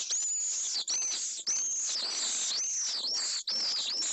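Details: Two pallid swifts meeting at a nest in Jerez de la Frontera, Spain, recorded by a remote nest camera; loud, continuous, shrill screeching with wavering pitch, broken by brief pauses.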